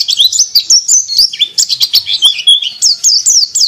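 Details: High, quick chirping song of a white-eye in ngriwik style, a string of short rising and falling tweets with a few downward-slurred whistles near the end.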